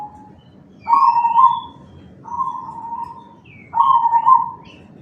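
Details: Zebra dove of the black cemani type with a big voice, played to draw other zebra doves into answering; three rolling, trilled coo phrases, each about a second long, separated by short gaps, with faint higher chirps around them.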